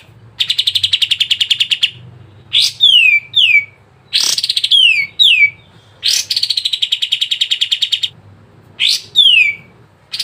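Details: Sooty-headed bulbul song for prompting caged birds to sing, mixing rapid chattering trills with loud, sweeping downslurred whistles in short phrases, separated by brief pauses.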